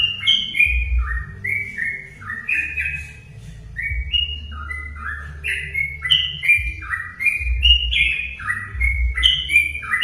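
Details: Sooty-headed bulbul singing to provoke other bulbuls into song: busy whistled phrases of short stepped notes, brief lull near the middle, then a dense burst again, with low rumbling thumps behind.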